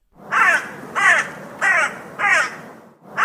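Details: Crow giving four harsh cawing calls in a steady series, each about half a second long, roughly one every 0.6 seconds, with a fifth beginning at the end; no other sounds.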